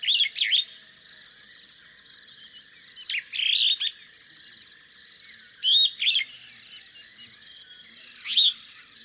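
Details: Superb starling calling in four sharp, scratchy chirp bursts roughly every two and a half seconds, against a constant high-pitched background hiss.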